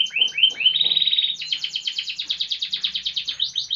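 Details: Canary in full song: a few quick chirps lead into a long rapid trill of buzzy, evenly pulsed high notes, followed by rolling repeated phrases; faint low hum in the background.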